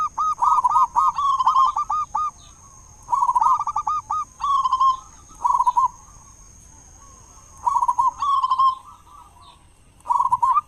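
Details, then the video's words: Local zebra dove, a loud-voiced, prolific singer, used as a lure to get other doves singing in the morning and evening: five bursts of rapid, bubbling, trilled coos separated by short pauses, over a faint steady high whine. "perkutut lokal gacor suara besar buat pancingan diPAGI dan sore"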